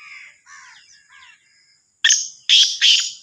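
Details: Black francolin of the Sindhi variety. Soft descending chirps from another bird lead into three loud, coarse, grating bursts in rapid rhythm, over a steady high-pitched hum.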